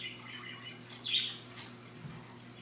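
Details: Macaw at play after lunch: a brief harsh squawk stands out amid faint raspy chatter, with a constant low hum in the background.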